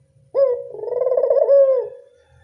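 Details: Single local Barbary dove coo for luring doves: an abrupt rising note flowing into a long, trembling purr that fades away, with faint low rumble before and after.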